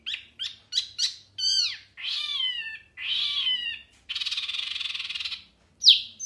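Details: A wambi training recording of loud, clear singing: phrases of sharp chirps, sweeping whistles and a buzzy trill.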